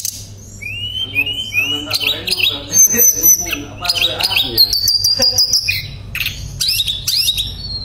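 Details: Shortwing, locally called tledekan pring, in a loud gacor song used as singing therapy, with nembak bursts and ngerol rolls: three rising whistled slurs, then a rapid jumble of high trills, sharp notes and a long sustained high whistle.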